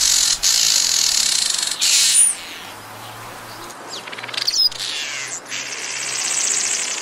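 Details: Village weaver (black-headed weaver) with sustained high sizzling buzzes cut by short breaks, a sharp squeaky note, then renewed fizzy chattering with fine rapid pulses toward the end.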